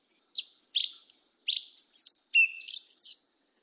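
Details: Southern 'mateiro'-style song of a Yellow-legged thrush: a few sharp buzzy chips, then a flowing run of high twisting whistles and a low steady whistled note, in a quiet background.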